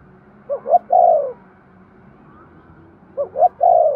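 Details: Spotted dove cooing to trigger breeding, two phrases about three seconds apart, each two short rising notes then a longer falling coo, over a steady background hiss.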